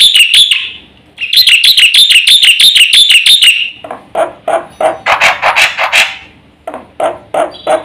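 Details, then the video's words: Black-winged myna in full 'gacor isian' song meant to stir other birds: quick shrill chattering runs, then a series of rougher, broader harsh notes in uneven bursts. "suara jalak putih GACOR FULL ISIAN"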